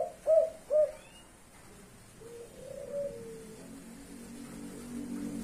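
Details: A spotted dove of the blorok leopart variety, kuk 5 style, gives two short, low, hollow coo notes in quick succession, then softer, fainter lower cooing fading into background hiss.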